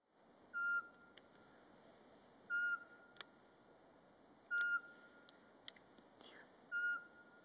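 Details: Eurasian pygmy owl (Glaucidium passerinum) in Latvia in March, during mating season, singing by day without provocation: short, pure, level whistled notes repeated about every two seconds, four notes in all, with faint background clicks.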